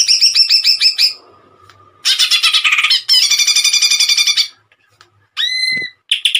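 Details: Greater green leafbird in 'tembakan' song for bird tutoring: fast rhythmic chirps, a quiet gap, two dense rattling trills, a pure rising whistle and a closing chirp burst.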